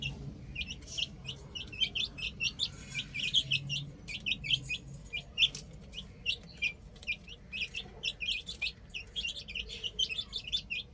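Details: Young chicks at play on a rooftop keep up a steady chorus of brief, sharp, high-pitched cheeps, many birds overlapping, with a few clicks and a low rumble beneath.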